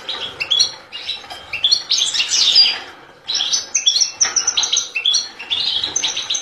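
A European goldfinch sings a fast, liquid, tinkling twitter of high chirps and trills in rapid bursts, pausing briefly before resuming.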